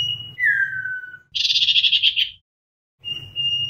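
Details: Common iora lure song to gather the flock. A level whistle breaks into a falling slurred note, then a harsh buzzy rattle follows. After a pause the long level whistle resumes.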